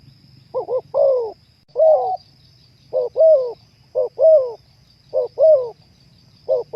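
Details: Spotted dove (terkukur) cooing for bringing captive birds into breeding condition: repeated phrases of two short notes plus a longer downward-curving coo, evenly paced near one per second, with a faint high whine and low rumble.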